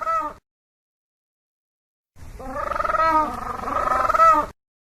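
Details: Screaming penguin call: a short braying burst fades out, then after a pause a longer throbbing, nasal bray of rapid pulses runs for over two seconds, rising and ending abruptly.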